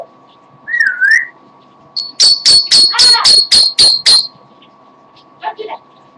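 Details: Indoor pet parrot singing while tired: a wavering whistled note, then a fast run of eight loud sharp high whistled beeps, evenly spaced, followed by a few soft squeaks; steady hum throughout.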